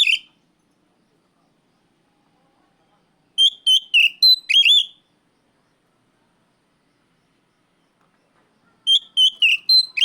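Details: Oriental magpie-robin calling out a rival, giving short groups of four to five sharp whistled notes with buzzy overtones, bursts several seconds apart amid silence.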